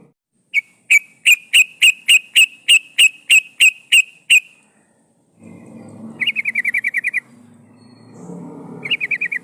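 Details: Female yellow-vented bulbul in breeding condition, used as a lure to call males: a steady series of sharp notes repeated about three times a second, then fast rattling trills against a low rumbling background.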